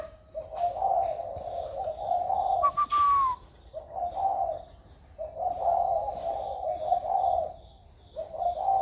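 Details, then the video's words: Spotted dove about one year old, hand-raised from young and just starting to coo in a warm 'thổ' voice style: low, mellow coos in long phrases, broken by a brief higher descending whistle. "Cu gáy mới nổi giọng ẤM"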